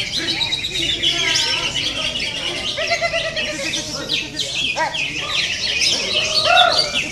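Green leafbird song, a rapid stream of bright, high whistles, chirps and slurred trills, set in a dense chorus of other chattering songbirds.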